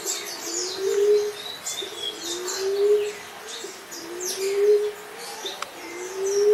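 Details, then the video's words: Common emerald dove giving low, soft, slightly rising moaning coos, four in a row, each about a second long and repeated roughly every two seconds, with high thin chirps and twitters from other birds behind. "SUARA BURUNG | DELIMUKAN, LIMUKAN, PUNAI TANAH, TEKUKUR TANAH, EMERALD DOVE"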